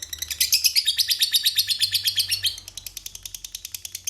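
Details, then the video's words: Rapid high rasping chatter from a lovebird in strong song, the long ngekek style, with regular pulses several per second, loudest early then thinning to sharper separate ticks toward the end. "Suara burung Lovebird gacor Ngekek Panjang"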